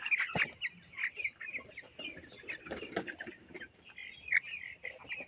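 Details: Eighteen-day-old chicks on a chicken farm peep in a busy chorus, broken by loud single cheeps and a soft thump or rustle partway through.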